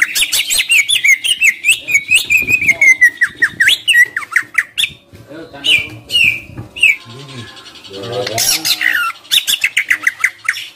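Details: Greater green leafbird singing hard, played to push timid leafbirds into singing; a dense chatter of high chirps and squeaky whistles, broken by a short raspy pause, then another burst of quick twittering notes.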